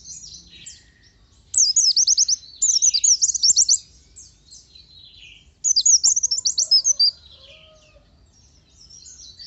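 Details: Oriental white-eye singing in energetic 'gacor' style with 'nembak' bursts: high, thin, rapid twittering trills in two loud bursts separated by quieter scattered chirps, with faint background hiss.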